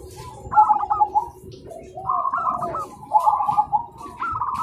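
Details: Several zebra doves answer one another in a lively morning chorus. Phrases of fast, warbled cooing with stuttering rising notes overlap, so at least two birds sound at once, over faint background rumble.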